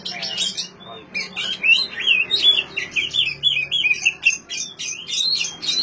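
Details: Oriental magpie-robin song used to prompt silent magpie-robins: dense, rapid chattering of buzzy and whistled notes, harsh squawky bursts mixed with fluty slides, nearly continuous.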